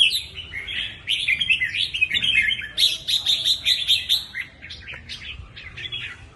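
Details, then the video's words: Lively chào mào, the red-whiskered bulbul, singing a run of quick liquid whistles, then a string of evenly spaced sharp chirps, fading toward the end over soft low noise. "Chớp mào 3M/ chao"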